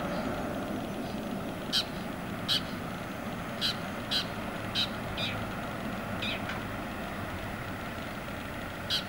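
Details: A Long-tailed Shrike at Lorong Halus gives about nine harsh, scratchy single notes at irregular intervals over a steady background rumble, likely distant traffic.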